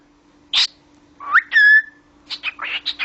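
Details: Talking cockatiel kept as a pet gives a short harsh screech, then a clear rising whistle that levels off and holds, followed by a run of short warbled chattering notes; faint steady hum behind.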